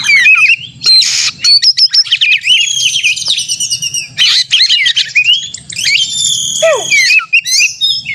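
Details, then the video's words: Caged white-rumped shama in aggressive contest simulation song: harsh noisy bursts alternating with long high whistled trills and slurred notes, ending with a sharp falling whistle and rapid chips. "kacer gacor konslet narung ini AMPUH buat pancingan kacer agar bunyi"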